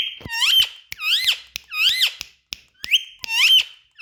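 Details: Indian ringneck parakeet talking: a rapid string of near-identical rising, voice-like syllables about every six tenths of a second, interspersed with sharp clicks, loud and close indoors.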